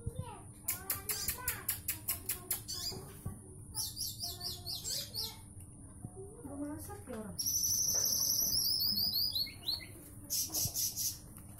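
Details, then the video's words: Olive-backed sunbird singing actively in rapid, dense bursts: a quick run of sharp repeated ticks, clipped high notes, then a long, fast, high trill that slides downward, followed by further short bursts, with a constant low hum behind. "Sirtu Jantung Gacor nembak rapat"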